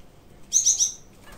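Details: One of a pair of white English zebra finches building a nest from sack fibres gives a single bright, nasal, high call with a few quick pulses, in an otherwise quiet indoor setting.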